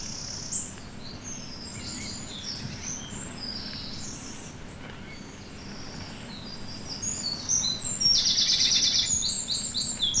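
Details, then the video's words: Two wrens in a British broad-leaved woodland in January sing a duet of loud, high, rapid phrases ending in fast rattling trills, while a blue tit sings thinner notes alongside. "Here's a wren duet, with a blue tit singing as well."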